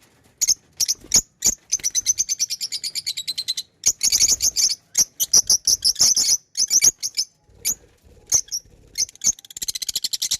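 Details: Pet lovebirds chirping almost continuously: long runs of rapid, shrill, evenly repeated notes and chattering bursts, loud and busy throughout with brief pauses.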